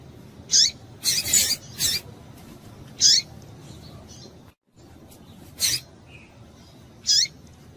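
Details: Female double-collared seedeater calling to excite males: about eight high, sharp chips in irregular bursts, several with falling tails, a brief cluster early on, then spaced single notes over low background noise.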